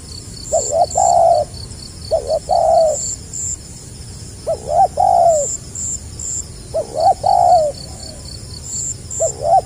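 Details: Spotted dove (tekukur) giving the stuttering 'gagap rapat selang nguku' style coo, recorded 2020: four low, hoarse, two-to-three-part coos, each a quick stutter then a longer falling note, every two to three seconds, with faint high insect-like chirping.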